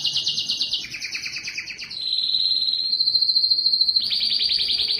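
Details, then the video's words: Belgian canary singing strongly to draw females for breeding, with fast trills switching between high and middle pitches, then steady whistled tones and a final bright rapid trill. "O canto mais forte do canário belga que atrai as fêmeas para a reprodução"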